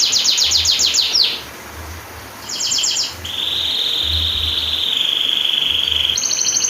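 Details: Canary song used to train and trigger silent canaries with a long roll: fast repeated trill phrases in rapid bursts, a long steady high rolling trill held for several seconds, then another quick trill, with a faint low thumping underneath.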